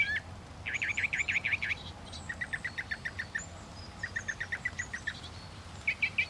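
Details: Mockingbird song with rapid trilled notes in repeated runs, separated by short gaps, partly softened by background hiss.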